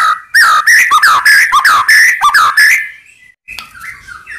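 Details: White-rumped shama singing to make rival birds respond: a fast rich run of slurred whistles and chirps for nearly three seconds, followed by fainter scattered notes.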